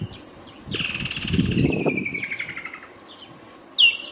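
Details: Woodland kingfisher delivering a rapid, rattling trill that descends slowly over about two seconds, over a low rumbling background noise, followed by a single sharp high note near the end.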